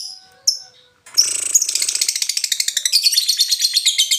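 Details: Lovebird from Indonesia singing in the local styles called ngetik, ngoek and ngekek: a few high, thin notes, a short pause, then a fast, shrill, buzzy chatter of rapid notes that runs to the end, about three per second and even.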